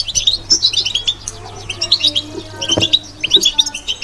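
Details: Goldfinch twittering in the batbata style, clusters of sweet high chirps and tinkling trills in short phrases, with a faint low hum and a few soft clicks.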